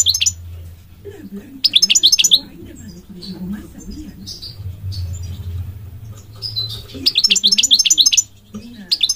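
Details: Goldfinch song: a bright, rapid twittering burst, then softer scattered chirps and short whistles, and another lively run of high jingling notes near the end, over a low steady hum.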